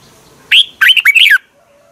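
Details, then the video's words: Red-whiskered bulbul from Thailand, song used to train or excite other birds: one rich phrase of a rising whistle followed by a quick run of slurred, bubbling notes that drop at the end. "เสียงนกกรงหัวจุก สำหรับต่อ หรือ เปิดให้นกคึก"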